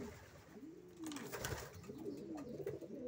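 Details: Racing pigeon giving a low, drawn-out coo that rises and falls, with a soft flutter or rustling burst in the middle and a slight room echo.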